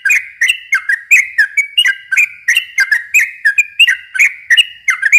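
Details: Lively song of a yellow-vented bulbul for luring young birds, dense two-toned whistled notes alternating high and low, tumbling out steadily with sharp clicky edges.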